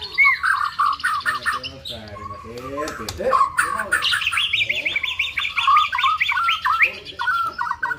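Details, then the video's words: White-rumped shama singing a song that includes imitation of a female prinia: a dense, varied stream of whistles, rapid trills and harsh chattering phrases, with repeated upslurred notes, continuing without pause over eight seconds. "Muray batu isian prenjak betina"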